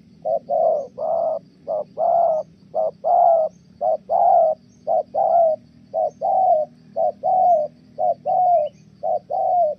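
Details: Spotted dove in Kon Tum, Vietnam, kept for dove trapping, cooing steadily in the Thổ style: a long run of clipped-then-sustained hooting pairs at a brisk, regular pace, over a faint low hum.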